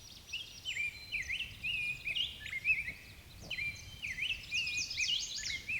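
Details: Black-and-white Warbler on breeding territory in Sax-Zim Bog on a foggy, hazy morning, 24 May 2020. It gives its loud, hearty, thin, high, squeaky weesey-weesey song, two-part notes repeated steadily, with other birds chirping in the background.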